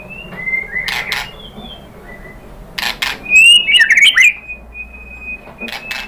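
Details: White-rumped shama (murai batu) lure song, meant to provoke another shama into answering: sparse thin whistled notes, a fast burst of warbled, jumbled phrases in the middle, and sharp broadband clicks between phrases.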